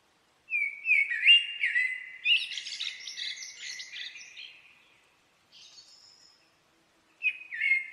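A common blackbird sings a mellow, fluty warble that breaks into a high, squeaky twitter. After a soft pause a new phrase begins. The background is quiet.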